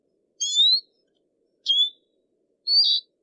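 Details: Three clear, high, rising whistled notes from a Eurasian siskin, each about half a second long and spaced roughly a second apart, with silence between.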